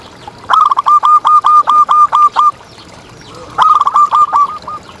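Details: Local champion contest zebra dove used as a tutor and lure for quiet birds: two bursts of rapid staccato cooing notes near one pitch, about nine clipped coos in the first phrase, a shorter phrase after a pause.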